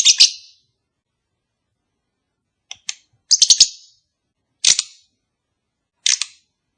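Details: Lovebird calls played to encourage a long-unmated pair to mate: short bursts of sharp, high, shrill chirps, some doubled or tripled, separated by silent gaps of one to two seconds.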